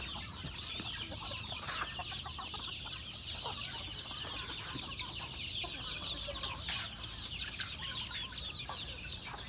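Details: Chickens being fed on a farm, keeping up an even, dense chorus of high-pitched chirping with no pauses, against a constant low background noise.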